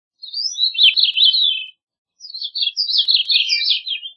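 Gray-cheeked thrush singing two high, thin, buzzy phrases, each a jumbled run of nasal notes lasting under two seconds, separated by a short pause; no other sounds.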